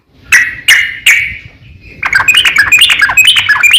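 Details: Provoking song of a yellow-vented bulbul calling a rival: three loud, separate chirps, then a quick, bubbling run of warbled notes.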